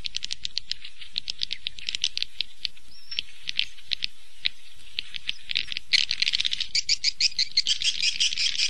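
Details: Swiftlet roosting call played to lure swiftlets into a three-storey roost house: rapid, irregular dry chirps and clicks, about three per second, growing denser and louder in the final three seconds.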